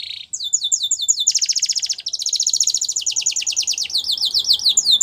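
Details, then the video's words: Belgian canary singing a training song for young canaries: rapid trills of repeated downslurred notes, shifting between phrases of different speeds, with a buzzy rattling section and high sweeping whistles. "Canary Singing For Training | Belgian Canary Singing"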